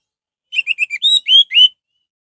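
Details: Orange-headed thrush song for provoking other birds to sing: four short clipped whistles followed by three longer rising, ringing whistled notes, with a quiet background.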